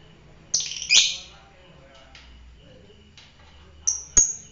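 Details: Lovebird kept as a fighter bird, uttering sharp, piercing chirps: a quick pair of high shrill notes early on, a lull with faint ticks, then two more bright chirps near the end; low background hum.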